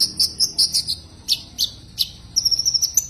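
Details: Common iora calling a rival with paired high chirps carrying an even higher overtone, a few separate falling notes, and a closing fast trill of ticks on a thin level whistle.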